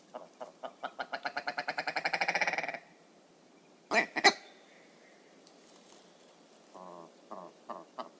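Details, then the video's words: Willow Ptarmigan rattle: nasal notes speeding up and swelling into a loud harsh chatter, then stopping. Two sharp loud calls follow, then a few quieter nasal clucks. "Willow Ptarmigan"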